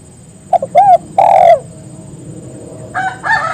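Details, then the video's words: Spotted dove calling companions to join in: short double notes, a rounded coo and a long falling croo, after which a rooster starts crowing in the background. "Suara burung tekukur memangil teman agar ikut bunyi"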